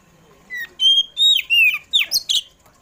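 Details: Oriental magpie-robin singing in the afternoon as a lure for caged birds: a sequence of clear whistles and sliding slurred notes, several short bursts within three seconds.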